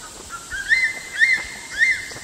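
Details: Crested serpent eagle giving three ringing whistled notes at an even pace, each rising sharply and then dipping, with faint lower slurred notes leading in, over a quiet constant hiss.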